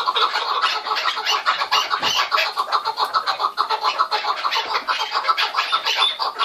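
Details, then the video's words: Chukar partridges giving a steady stream of rough, chattering clucks, overlapping and rhythmic, roughly one pulse per second, with a brief low knock partway through. "Keklik Sesi Muhteşem (Keklik Hengamesi) - الحجل طائر - куропатка - partridge"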